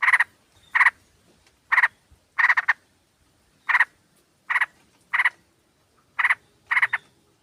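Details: Sooty-headed bulbuls in a flock, recorded as a lure, with a female calling males, used to draw birds in and to spur quiet birds to sing: harsh chattering bursts, some doubled, about every half second to second, on a quiet background.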